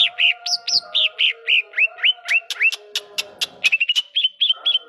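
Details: Greater green leafbird in a lively song that mimics another bird's notes: a quick series of loud, upward-sweeping whistles, then sharp clicking notes and short repeated chips, with a steady tonal hum underneath.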